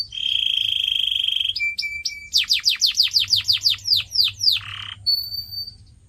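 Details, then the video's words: Canary song for pet birds to learn from, with a long buzzy tour, short clipped whistles, a run of about a dozen loud falling sweeps, a rasp, then a thin high whistle. "CANARY SINGING SOUND"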